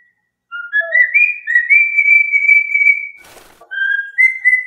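A cockatiel whistles a tune of clear, sustained notes that step up and down in pitch, broken by one brief rustling noise.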